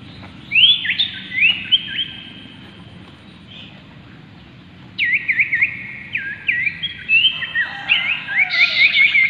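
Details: Cipoh or common iora (Aegithina tiphia) singing two bouts of loud, repeated upslurred whistled notes: a first burst of three or four, a pause of several seconds, then a longer, faster, rising series of sweeping whistles.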